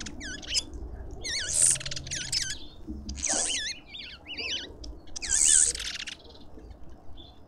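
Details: Garden feeder lovebirds in suburban Pretoria, South Africa, calling constantly with high, warbling squeals and piercing shrieks arriving in three louder waves, several birds overlapping.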